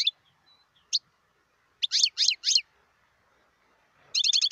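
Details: European goldfinch singing in the wild in 2018: sparse sharp chips, then a tight series of three quick downward-slurred twitters, ending in a fast liquid trill.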